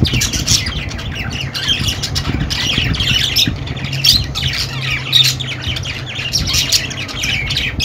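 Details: Harsh budgerigar squawks and rapid chirps mingle in continuous chatter, with a low droning hum in the background.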